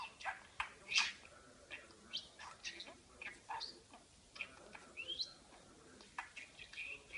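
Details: Talking pet parakeet in a room, giving a steady stream of brief squeaky chirps and buzzy warbles, some rising whistled notes, spaced roughly every half second.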